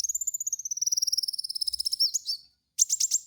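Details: Kolibri wulung lure song for cage-bird training: a long, fast, slightly falling trill of evenly pulsed high notes, then a short burst of scratchy chirps.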